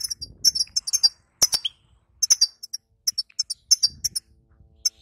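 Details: Female European goldfinch 'bitbita' chatter, used to rouse a weak male goldfinch after moult: dense very high ticks and clicks in short runs, a few sharp broadband snaps, faint low rumble near the end.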